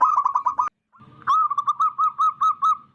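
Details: Wild zebra dove with a big, loud voice, suited to luring birds for trapping: a fast run of cooing notes, a brief gap, then a longer evenly pulsed phrase of rounded coos.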